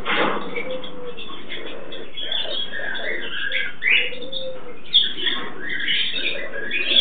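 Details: A pet pair of Turquoise-fronted amazons (Amazona aestiva) mating: continuous harsh, raspy chattering calls with low throaty murmurs underneath and several louder squawking bursts.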